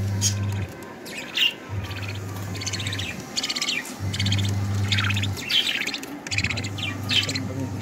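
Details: Two budgerigar chicks being fed by their mother give rapid, raspy chirping begging calls over a steady low hum.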